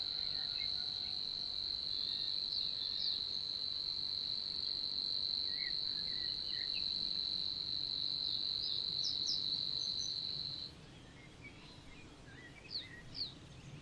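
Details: Savi's warbler singing in Niepołomice Forest, Poland, in June 2020: a steady, insect-like high buzzing reel held without a break for about ten and a half seconds, then it stops abruptly, followed by a few brief chirps from other birds.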